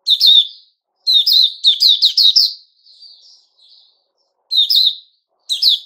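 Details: Male sooty-headed bulbul on 10 July 2021 gives loud chirpy bursts, then a pair of soft, thin, level notes before resuming with two short sharp phrases.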